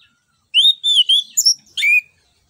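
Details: Orange-headed thrush singing in the open ngeplong style, used as a lure to prompt other birds to sing: a quick run of clear, slightly buzzy whistled notes, then a sharper bright phrase ending in a falling whistle.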